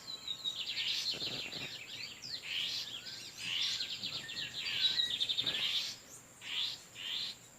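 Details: In nature, Torniado-style male lined seedeaters trade song near a nesting, incubating female: continuous high twittering trills and rapid chirped phrases, then short separate chirps at the end.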